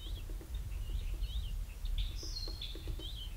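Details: Ruby-throated hummingbirds squabbling at feeders, giving rapid high squeaky chatter with swooping notes and one longer thin whistled trill, over low rumbling noise and soft ticking.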